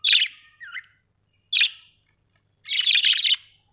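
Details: Budgerigars uttering harsh chirps and a short warbled note, ending in a longer rapid scratchy chatter lasting nearly a second.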